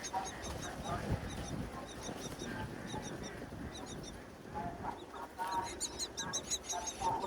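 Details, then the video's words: Hungry wild myna chicks in a natural nest on a tall palm tree, begging as their mother returns with food in nesting season; series of fast high pulsed notes in bursts, with lower harsh calls and steady background rumble. "Mother Myna Feeding Hungry Chicks on a Tall Palm Tree"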